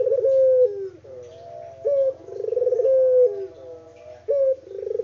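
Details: Native spotted dove in an unedited recording, cooing in repeated phrases. Each phrase has a level note, a pulsing rolled section and a note that drops in pitch, about every two seconds.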